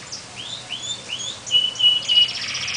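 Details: Two canaries sing as if in a duel: thin rising whistled slurs, then short repeated flat notes and a fast buzzy trill near the end.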